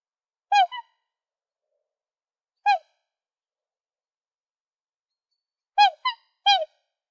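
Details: Black swan calling: short, nasal, bugling notes given singly or as quick doubled pairs, spaced by long silent gaps, with no other sounds heard.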